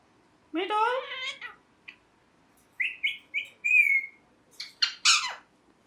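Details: Pet ringneck parrot letting out a long harsh screech, then a series of short whistled chirps building to a clear high note. Several sharp, raspy squawks close the clip.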